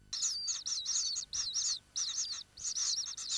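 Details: Common kingfisher recorded at its nesting burrow: shrill, high chirping notes run together in quick bursts, each lasting about a third of a second with short gaps between them.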